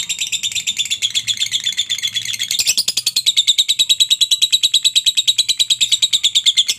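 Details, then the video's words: Lovebird chattering in the long ngekek song used to train pet lovebirds: high, buzzy chirps repeated about three per second, with a sharp jump in intensity midway before the even rhythm continues. "masteran suara Lovebird ini mampu membuat Lovebirdmu gacor"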